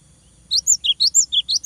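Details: Cinereous tit singing loudly to provoke a rival: a quick, clear run of about seven bright notes, each dipping in pitch, alternating between higher and lower tones.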